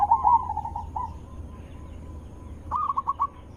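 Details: Zebra dove call played to draw wild zebra doves into replying: a bright trilled coo fading into a long soft steady purr, then a quick burst of staccato cooing notes.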